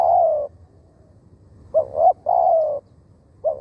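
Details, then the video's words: Spotted dove calling as a decoy to bring in wild doves. A long falling croo, a pause, then paired rising coos and another drawn-out croo. Another coo begins at the end. "เสียงนกเขาใหญ่ต่อ หมาน ๆ นกป่าเข้าไว"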